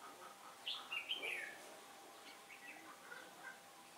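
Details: Red-whiskered bulbul used as a decoy in a trap, recorded 15 October 2017 on a day of changing wind: one lively warbled phrase dropping in pitch, trailing into faint distant chirps over low hiss.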